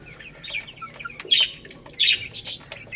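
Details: Baby chicks at their rice give thin, falling peeps at first, then two loud, shrill chirp bursts about a second apart, with light pecking clicks between.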